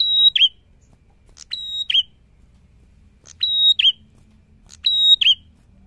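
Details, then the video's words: Prinia singing energetically, repeating a high phrase of a brief buzzy note, a level piercing whistle and a quick dipping flourish. Four phrases, loosely paired, over six seconds against a quiet low hum. "PRENJAK GACOR BIKIN PRENJAK SEKECAMATAN BUNYI"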